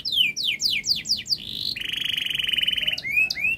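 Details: Long, fast canary song used to prompt young canaries: a series of about seven downslurred whistles, a brief buzz, then a long even rolling trill and a few rising whistled notes.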